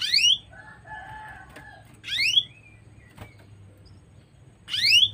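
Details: Chirps of a female canary: three bright, rapid sweeping notes about two seconds apart, separated by a short soft trill, with a steady low hum and faint buzzing tones behind.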